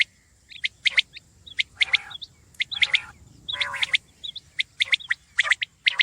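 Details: Common quail giving short, sharp notes with small whistled hooks, delivered in irregular groups with gaps between them against a faint steady hiss.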